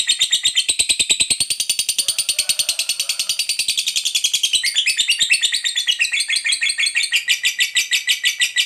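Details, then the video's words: Caged fighter lovebird in a long ngekek, used to provoke other lovebirds to answer: steady fast harsh pulses for over eight seconds, shifting into higher, more varied twittering notes after the fourth second. "Suara Burung Lovebird Ngekek Panjang JAGO Memancing BUNYI, Hitungan Menit LB DIAM Langsung NYAUT"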